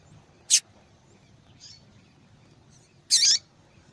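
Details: Female yellow-bellied seedeater call meant to stimulate the male: a short high chip, a faint soft note, then a longer, fuller high call about two and a half seconds later.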